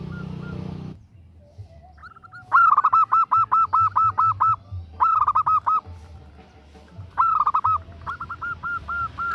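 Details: Female zebra dove calling to a male: after a brief noisy start, long rapid series of loud, evenly spaced coo pulses, pausing between bursts, then softer slurred notes at the close.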